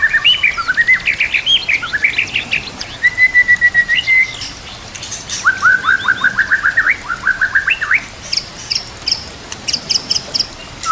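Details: Murai batu, or white-rumped shama, singing a rich full-repertoire song mixed with nature sounds and flowing water: bouncing whistled phrases, steady runs of rapid clipped notes, then bright high ticking bursts.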